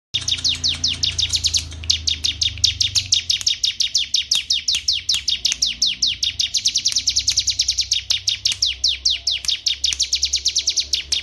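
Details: Canary, a male, in a long, fast song of rapid, descending whistled notes repeated several times per second in steady trills, with a few rolling changes of pace and a faint low hum beneath.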